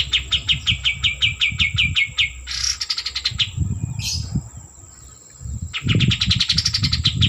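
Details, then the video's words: White-eared bulbul delivering quick rhythmic strings of bright repeated notes, then a buzzy rising burst, a short lull and another accelerating chattering phrase, with low rumbling noise throughout. "Kapas Tembak Gacor - Suara Asli"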